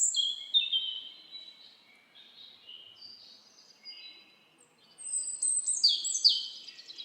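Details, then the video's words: Forest birds singing: high whistled and warbled phrases that soften into a quiet stretch, then a loud cascade of rapid, descending chirps. "Birds singing // Forest of birds relaxing your Mind"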